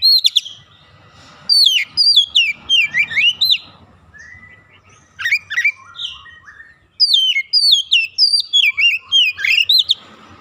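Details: Raw, untrained oriental magpie-robin in full song, working through its learned repertoire. Three bursts of fast, varied whistled phrases mix falling slurs and quick chirps, with brief pauses between them over a faint low rumble.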